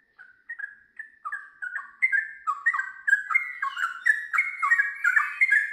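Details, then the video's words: Sooty-headed bulbul, known locally as trucukan, starting ngiwir and moving into long ropel: a few sparse mellow notes build into a fast, dense run of gurgling two-tone phrases. "TRUCUKAN GACOR ngiwir lanjut ROPEL PANJANG"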